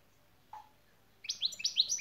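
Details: Goldfinch şak şak training song: one soft lower chip, then a rapid run of high, sharp, rising notes repeated quickly.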